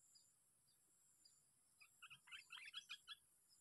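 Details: Sooty-headed bulbul, trapped and on its sixth day of sparring in a park, delivers a quick series of about eight clear, bouncy chirps over roughly a second and a half, against faint hiss.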